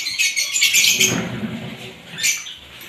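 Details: Various lovebirds giving shrill, rapid twittering squeaks, then a lower muffled rustle or thump, followed by a quieter patch and one more short burst of high chirps.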